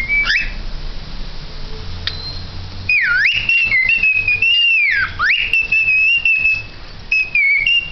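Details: Singing pet cockatiel: a long, continuous whistled melody with deep dipping swoops and sustained wavering tones, faint low background hum throughout.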